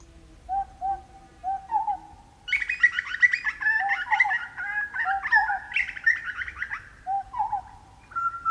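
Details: Grey butcherbird song from south-east Queensland, Australia: a few soft, hollow, echoey piping notes, then a burst of rich, echoing warbles and mellow whistles, ending in a single clear note.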